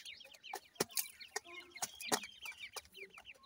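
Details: Grey francolin chicks at feeding time: dense, high-pitched chirping in quick flicking notes, punctuated by loud sharp clicks at irregular intervals.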